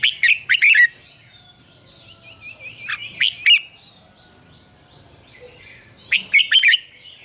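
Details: Red-whiskered bulbul singing in the morning, a mature wild double-note style used to train other bulbuls: three short, lively warbled phrases spaced about three seconds apart, with soft rippling trills from other birds in between.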